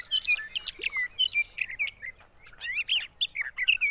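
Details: June song of a sage thrasher at Arapaho NWR, Colorado: an unbroken stream of quick warbled and slurred notes, mixing whistles and buzzy trills in rambling, varied phrases.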